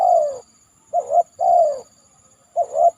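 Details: Tekukur, the spotted dove, cooing after heavy rain above a banana stem; clear low phrases of a quick two-part note then a drawn-out falling coo, repeated twice in quick succession, with a thin high insect whine throughout.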